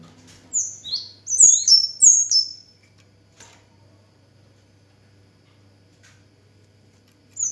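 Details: Orange-headed thrush in Indonesia delivering one burst of five or six loud, high, downslurred whistles in quick succession, followed by several seconds of near silence with a low hum and a last short note.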